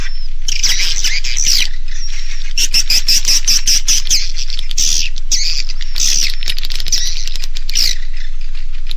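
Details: Naga Mas roosting lure of edible-nest swiftlets, tested to make young birds roost: bursts of shrill twittering chirps with sliding high whistles, separated by fast rhythmic clicks, about three per second, with no pause.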